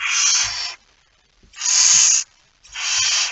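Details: Barn owl carrying a mouse, 17 September 2019, 01:49: three loud, drawn-out rasping hisses, each under a second, with soft low knocks beneath.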